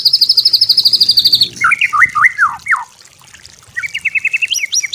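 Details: White-rumped shama song as a training master, easy to imitate: high fast trill, a group of looping downslurred whistles, short pause, then a rising series of repeated upslurred notes climbing higher.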